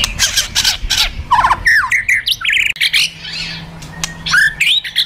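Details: Fighter white-rumped shama in a provoking kretekan and tembakan sequence: gritty rattled bursts, then loud rising and falling whistled phrases and crisp sharp notes, with a low steady hum in the background.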